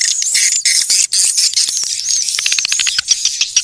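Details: Swiftlets recorded in the wild, a calling sound used to attract them: dense, high-pitched twittering chirps and rapid clicks, thickening into a fast pulsed chatter toward the end.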